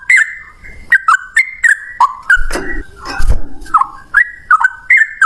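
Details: Fighting song of a yellow-vented bulbul, used to lure other bulbuls into singing: bubbly, dipping whistled phrases repeat about twice a second, partly covered by a burst of low thumping noise midway.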